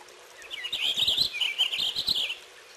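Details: Purple finch singing a lively, continuous warble of high, slurred whistles that loops up and down for about two seconds.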